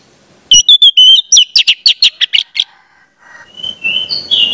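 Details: Orange-headed thrush song played to train speckled young birds: clear whistled phrases then a quick series of sharp chirps, a pause, and softer rising whistles at the end.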